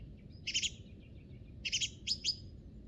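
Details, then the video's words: Springtime song thrush on Monte Baldo, Italy's Trentino: a short burst of harsh, buzzy chirps, repeated about a second later, followed by two sharp high notes, over low background noise. "IL BELLISSIMO CANTO di PRIMAVERA del TORDO BOTTACCIO"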